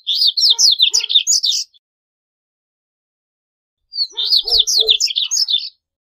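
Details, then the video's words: Double-collared seedeater song for training and attracting birds: two bright, rapidly warbled phrases of high looping notes, each under two seconds, with a quiet pause between. "CORBATITA CANTANDO - MEDIA HORA DE CANTO DE CORBATITA"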